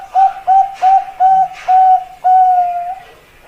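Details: Bangkok-strain zebra dove (perkutut) singing a run of six mellow, even-pitched coos, the first four short and evenly spaced, the last two drawn out and longer, ending the phrase; faint background hum.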